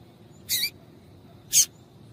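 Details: Female Rusty-collared Seedeater calling to stimulate males to sing: two short, sharp, high chip notes about a second apart, in an otherwise quiet recording.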